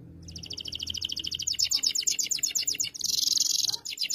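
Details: Canary song tutoring a young canary: a rapid, evenly pulsed double-pitched trill that grows louder, then a harsh dense buzz and a return to quick trilling.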